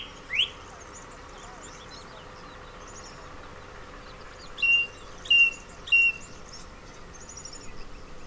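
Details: Male song thrush in the Ribera Baixa orange groves, Valencia, Spain: a single rising note, a long quiet gap with faint distant twittering, then one whistled note repeated three times.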